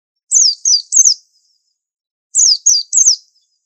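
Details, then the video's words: White-eye song in two bursts of three bright, high, downward-slurred chirps separated by a silent gap of over a second. "Pleci super antik masterannya harus unik"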